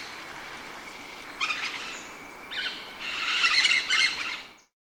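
Blossom-headed parakeet giving bursts of shrill, high chattering calls, three bouts in quick succession, over a steady background hiss.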